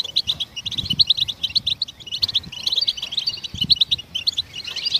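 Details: Goldfinch twittering to encourage other songbirds to sing, with quick bursts of sharp, high, tinkling notes strung into a lively, unbroken chatter, a brief pause after two seconds, and light low thuds behind.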